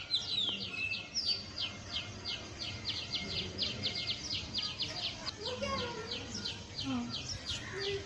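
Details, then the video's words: Forest birds on a rainy day give fast, high chirps in a rapid, steady series, with a few lower, slurred notes from another bird in the second half, over a constant low rumble. "birds chirping sound"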